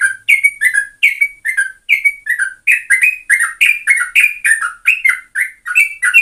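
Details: Sooty-headed bulbul song used as a lure: a steady stream of short bubbly whistled notes, each dipping in pitch, about three per second with no gaps, loud and clear.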